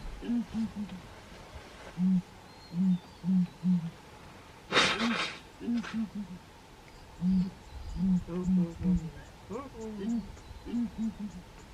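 A ground hornbill gives deep, hollow booming hoots in quick runs of three or four, repeated throughout, with a brief rustling thump partway through.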